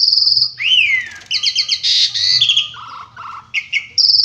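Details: Asian pied starling (jalak suren) in lively gacor song with rich isian fillers and tembakan bursts: high sustained whistles, a rising slurred note, then rapid buzzy trilled phrases and lower chattering notes, ending on another long high whistle.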